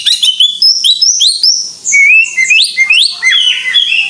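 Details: Greater green leafbird singing vigorously: a fast run of loud, clear whistled notes that jump between high and low pitches. The notes rise and slide, with brief sweeping phrases near the middle, in a continuous varied stream.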